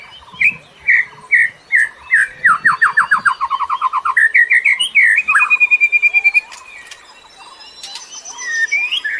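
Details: Bird song used as a lure for other birds: whistled notes speed up into a long rapid descending trill, followed by a sustained whistle and softer scattered chirps.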